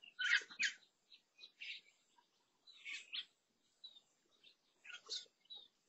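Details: New visitor to a garden fruit feeder on 16 June 2022, a lesser necklaced laughingthrush utters repeated rough, chattering bursts at irregular intervals, roughly every second, with thin chips between them.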